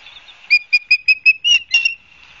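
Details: Ospreys at Barnegat Light, New Jersey, on 12 September 2022: a run of five sharp, high whistled chirps about a fifth of a second apart, then two longer, slurred whistles.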